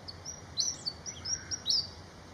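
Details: Malaysian pied fantail in Malaysia giving a quick run of high, thin whistled notes, several rising and falling squeaks packed into two seconds, over a faint steady hiss.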